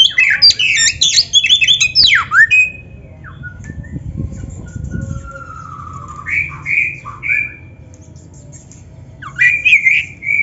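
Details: Oriental magpie-robin of the black-breasted form in rich mimicking song for training other birds: a fast tumbling run of sharp chattering notes with a steep down-swept whistle, then sparse whistled phrases and a low hum.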